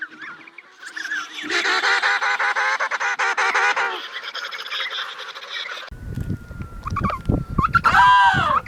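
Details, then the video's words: Adult emperor penguins in a crowded Antarctic colony, giving trumpet-like calls to be heard over the noise: dense, overlapping harmonic braying for several seconds, then an abrupt shift to a steady tone and rough, windy bursts. "Various Moments of Penguins Making Sounds"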